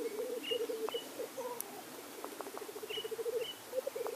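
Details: Blackcock lek, with low pulsed bubbling phrases rising and dipping, a brief pause, then evenly spaced rolling notes and a final louder gurgle, alongside short high whistles from other birds.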